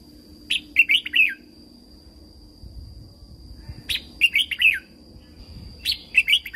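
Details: Thai red-whiskered bulbul song for stimulating caged birds: three lively phrases of five or six tumbling, whistled notes, each opening with a sharp upward note, about two seconds apart, with a steady high electronic tone and low hum behind.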